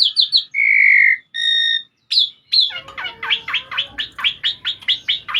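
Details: Jalak suren, the Asian pied starling, in gacor song recorded as masteran audio: a few pure held whistles and chips, followed by a fast steady string of about fifteen repeated chirping notes.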